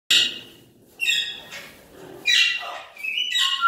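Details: Blue-headed macaw (Ara couloni) giving harsh, raspy squawks in four bursts, each loud at onset then fading, with a brief rising whistle near the end; indoor setting.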